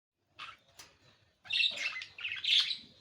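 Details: Budgerigar chirping indoors: a short buzzy chirp, a pause, then a dense run of scratchy, warbling high chirps and squeaks lasting about a second and a half, in a small quiet room.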